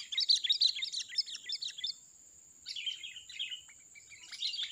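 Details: Wild sooty-headed bulbul giving a loud, chatty song meant to lure other birds for trapping. A fast string of sharp chirps runs for about two seconds, pauses, then resumes with a few looser phrases.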